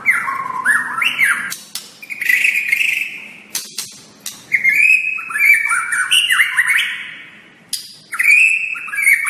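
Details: White-rumped shama singing a training tutor song for kept birds: bursts of rich, varied whistled phrases with slurred swoops, short held notes and sharp high chips, separated by brief pauses, over a quiet low hum.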